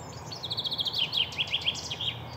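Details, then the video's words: Singing male chaffinch delivers a quick rattle of repeated high notes that falls into a sequence of bright, downward-sweeping chirps with a final flourish, set against a soft low rumble. "chaffinch sound"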